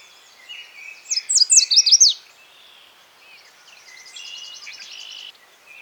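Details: Yellow Warbler song, the "sweet sweet sweet, I'm so sweet" phrase: a quick burst of six or seven high, sweet, slurred notes with an accented ending, then softer distant twittering from other birds.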